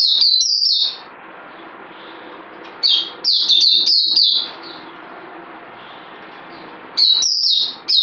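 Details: Songbird singing loud, high whistled phrases of sliding, slightly buzzy notes in short bursts, separated by quiet pauses of a few seconds with soft background murmur.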